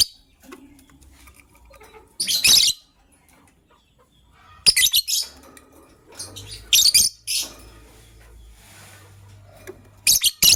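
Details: Lovebirds, a gray one ready to lay eggs and a yellow-green one, kept as pets in the morning; harsh, high screechy chirp bursts come in short clusters separated by quiet gaps, with faint low hum beneath.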